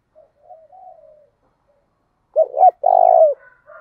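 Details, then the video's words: Lure spotted dove of 'thổ pha đồng' voice calling to urge rivals to fight. Quiet, low murmured coos lead up to a strong phrase: two clipped coos, then one long, vibrating coo. "tiếng chim cu gáy mồi giọng thổ đồng, cu gáy thổ pha đồng thúc đấu"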